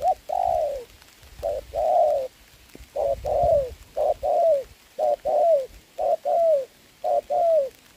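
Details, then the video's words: Decoy spotted dove luring a wild bird in rainy weather, 26 November 2022. Rapid run of paired coos, the second note of each pair gliding downward, nearly one pair per second, with soft low thumps underneath. "mưa mà e bổi gù tốt"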